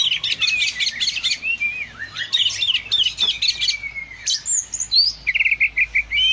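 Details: Oriental magpie-robin, described as a loud, lively singer, delivering clustered rapid chirps, sliding whistles and a short falling trill, phrases separated by brief gaps.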